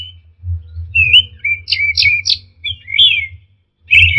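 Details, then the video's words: Orange-headed thrush in a songbird-training recording, delivering jumbled warbled phrases with rising and falling slurs and harsh bursts over a continuous low rumble. "Masteran Punglor Teler Gacor Full Isian Kombinasi Tembakan"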